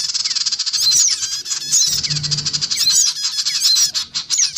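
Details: Young and adult black-winged cuckooshrikes calling noisily, recorded for luring small birds: pulsing, buzzy squawks repeated in quick throbs, mixed with high thin whistled slurs.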